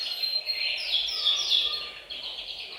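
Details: Chorus of caged canaries in a bird room, sung to stimulate males and ready females for breeding; brief burst of high twittering with a few sharp whistled notes, fading at the end.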